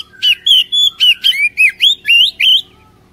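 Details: Lure song of an Oriental magpie-robin, played so caged birds start singing: about nine loud whistled notes, each a rising or falling slur, delivered roughly four per second before the song stops.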